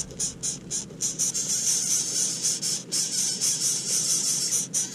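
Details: Greater coucal chicks in their nest beg with high, hissing squeals in rapid bursts, about two a second, as the mother brings them food, over a faint low hum.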